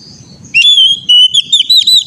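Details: Oriental magpie-robin training song for young birds: one clear whistled phrase, a held note followed by a run of quick wavering whistles, with a faint low rumble underneath.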